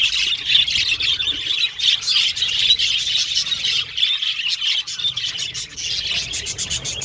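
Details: Budgerigars chirping and communicating, overlapping warbled squeaks forming a steady high chatter, with a run of sharp, rapid clicking ticks toward the end.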